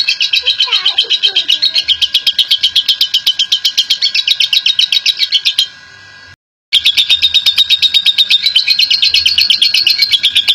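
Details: Long ngekek chatter of a national champion lovebird: rapid high buzzy notes about four a second, a brief softer gap and silence midway, then the chatter resumes as strongly.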